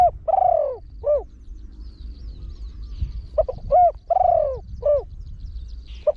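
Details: Decoy spotted dove, trained and deep-voiced, singing the quick 'khan thi' crow twice: clipped stuttering coos, a drawn-out falling coo and a rounded closing note, with faint high chirps from other birds behind.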